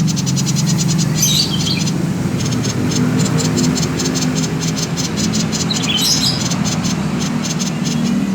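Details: Common iora with its 'konslet' song, used to prompt other birds to sing: long runs of rapid buzzy clicks with two brief scratchy, chattering flourishes, backed by a continuous low hum.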